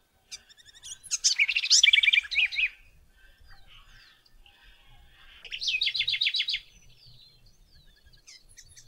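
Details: Song of the house wren, Cucarachero Común, recorded at Alto San Miguel: a loud jumbled phrase of fast trills and rattled notes, a lull with soft background chirps, then a second shorter rattling trill.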